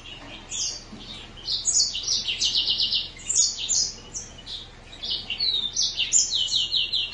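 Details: Green singer finch song: a continuous high warbling run of quick chirps, buzzy trills and sweeping whistled notes, with a rapid trilled stretch near the middle and a slurred downward whistle late on, over a low steady hum.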